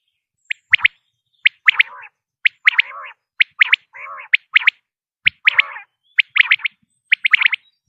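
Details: Repeated sharp triple-note phrases of a common quail, each followed here and there by a soft, low, nasal rasp, the pattern recurring roughly every second over a silent background.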